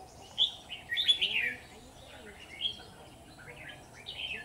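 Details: Red-whiskered bulbul at a bulbul trap, singing a few warbled, slurred whistled phrases, one longer descending flourish near the start, then brief phrases after a pause.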